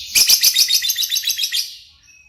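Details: Lovebird singing actively (gacor): a rapid run of about a dozen high, shrill chirps packed together for over a second, fading into a thin, faint whistle at the end.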